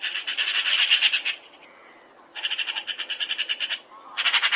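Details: Eurasian magpie giving harsh rattling chatter in rapid rhythmic bursts, a long rattle, a short gap, a second rattle, then the start of a third; dry and grating with no other clear sounds.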